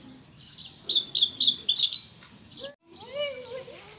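European goldfinch singing a quick, high, tinkling twitter of bright notes about four per second, followed by a brief lower, wavering sound near the end.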